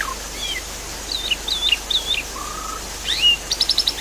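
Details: Javan pied starling singing over a steady rush of water, used as lure audio for a bird that has stopped singing: scattered clear whistles and slurred notes, a level whistle, then a quick burst of rapid chirps.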